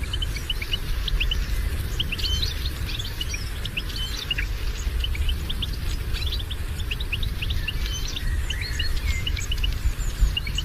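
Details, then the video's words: European goldfinch chatter used to stir a silent captive goldfinch into singing: rapid, high twittering chirps and short whistled notes, densely packed and continuous throughout, over a steady low rumbling background noise. "اقوى بتبتات لاخراج حسونك من صمته"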